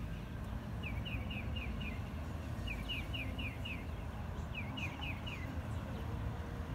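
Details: Northern mockingbird in Massachusetts singing three short bursts, each a quick run of four or five identical chirped notes, over a steady low traffic rumble.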